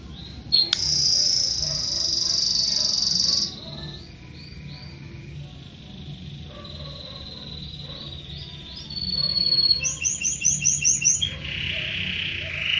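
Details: Young Belgian canary singing: a loud high rolling trill, then quieter varied phrases and soft notes, followed by a burst of rapid repeated chirps and a lower buzzy roll at the close.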